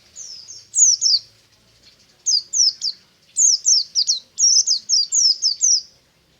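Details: Buxtomi white-eye in the morning giving ngalas-style song, with thin, bright down-slurred whistles strung into fast runs, the longest lasting nearly two seconds, over a quiet background.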